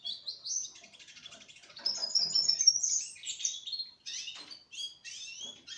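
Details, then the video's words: Young Russian canary, four months old, in song: rapid high twittering phrases, a buzzy rattled stretch, then varied whistled slurs and chips repeated quickly. "Kanarki Rosyjskie Śpiew 4-miesięczne/ 4 Months Russian Canary Sing"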